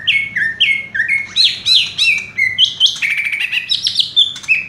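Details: Caged green leafbird sung in the rapid 'raja tembak' style: a continuous, fast run of loud, clear whistled phrases, slurred notes stepping up and down, with buzzy trills near the end and no pause between phrases.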